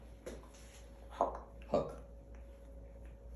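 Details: Quiet indoor room with a low steady hum, a few soft knocks and brief muffled voice-like sounds, no animal calls.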